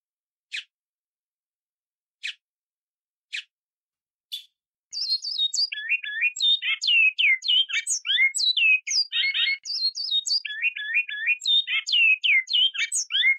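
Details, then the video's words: Short Araguari flute-style song of a great-billed seed finch, meant for training fledglings: four spaced sharp chips over five seconds, then a long fast stream of pure whistled notes, looping up and down in repeated fluty motifs, clean recording. "Canto bicudo flauta Araguari curto ‐ Para encarte de filhotes"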